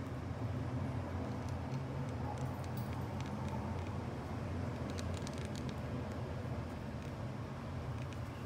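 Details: Steady low road-traffic rumble with a few faint, scattered high clicks and no clear animal voice.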